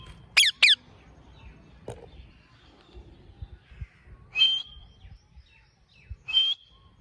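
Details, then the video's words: Pet ring-neck parrot known for talking: two sharp, harsh screeches sliding downward, a click, then two longer buzzy, slightly whistled utterances a couple of seconds apart, in a quiet room. "ring neck talking parrot"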